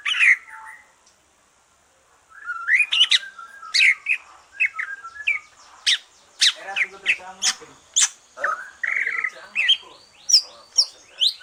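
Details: Green leafbird song used to stimulate other birds once moulting is over: a brief opening note, a pause, then lively, dense chirping with sharp high notes, quick rising whistles and scratchy chatter.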